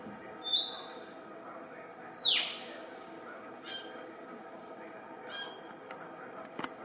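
A Rufous Whistler gives two loud, high whistled notes a second and a half apart, the second snapping sharply downward, followed by fainter echoes over a thin high hiss.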